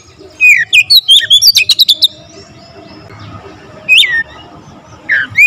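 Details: Kacer (Oriental magpie-robin) singing densely with full variation: a rapid run of sharp, rising whistled notes and clicks, then a pause before two further single swooping whistles.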